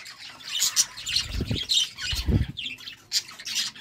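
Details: Courting budgerigars give rapid, scratchy chirps and squawky warbles in quick bursts, mixed with low thuds and rustling movement.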